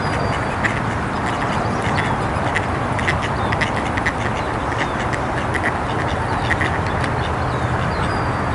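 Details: A family of ducks quacking together: a dense, continuous chorus of overlapping harsh quacks over a steady broadband rushing background.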